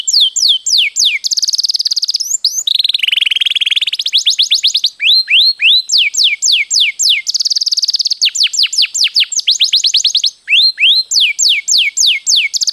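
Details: Vigorous canary in long rolling song for training other birds: runs of quick falling whistles broken by dense, lower rolling trills that recur several times. Clean recording with no background noise.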